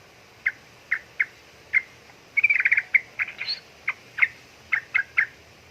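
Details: Female sooty-headed bulbul calling for a male, with separated sharp chirps, a fast rattling chatter in the middle, then more single and paired notes at a quick, uneven pace.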